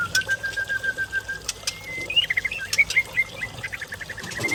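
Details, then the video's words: White-rumped shama from Lamno forest in Aceh Jaya, Indonesia: a long steady whistle, then a rising note into a rapid string of short sharp whistled notes and chips over a quiet background hiss. "Murai Aceh Pasang Muda Hutan Lamno Aceh Jaya"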